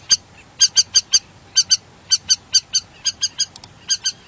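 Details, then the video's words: River lapwing calling: sharp, ringing, high notes delivered in quick bursts of two to four, about twenty notes across four seconds, with only a faint low hum behind. "River Lapwing Call | হট্টিটি পাখির ডাক | Titahari ki Awaaz | River Lapwing Bird Sound"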